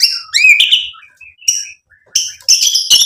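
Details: White-rumped shama (murai batu) song used to provoke and excite other birds: sharp rising whistles and chirps, a short pause, then a dense burst of high bright notes.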